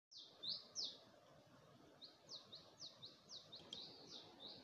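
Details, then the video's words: Bird singing at early dawn at Gulmit, Hunza, overlooking the Passu cones: a run of thin high slurred notes repeated rapidly, over a steady low rumble of background noise. "Dawn of Hunza Stone Age Where the bird 🐦 sang a complete song Morning"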